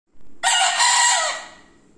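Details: Bekisar chicken of the wido type giving a loud, forceful crow: a short lead-in note followed by one harsh, rasping, broad-toned burst lasting about a second that fades away at the end.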